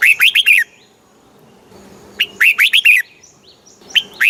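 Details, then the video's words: Red-whiskered bulbul, caged in Thailand, in southern master-phrase song meant to excite and teach other bulbuls. Two tight bursts of rapid, rolling whistles, followed by the start of a third phrase, with a short silence between them. "เสียงนกกรงหัวจุก ร้อง ริก เปิดให้นกฟัง ยั่วให้นกคึกจัด"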